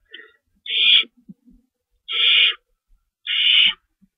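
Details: Owl delivering a rabbit at night, 11:50 PM, March 22, 2012; three harsh, hissing screeches, each about half a second long, spaced roughly 1.3 seconds apart, with faint soft chatter between them.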